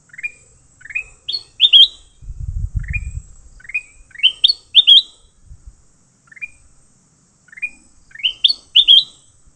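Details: Captured leafbird, fighting, repeats phrases of rising chirps that climb into loud, slurred upward notes, heard about four times, with a brief low thumping knock near the start.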